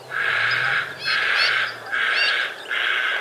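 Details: White-faced heron, Australia, 2 January 2019. Four extended harsh, buzzy croaks follow each other at steady intervals over a faint low hum.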